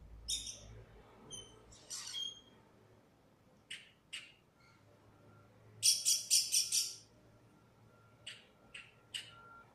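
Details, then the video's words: A lost blackbird, described as very smart, gives high squeaky chirps and whistles in scattered bursts, then a loud harsh rasping chatter of five or six quick notes, with a faint steady hum behind. "Black Bird making amazing sounds"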